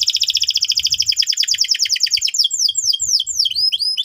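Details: Loud canary lure song for juvenile canaries. A fast, rhythmic trill of downslurred notes lasts about two seconds, then breaks into looser swooping whistles and rising chirps.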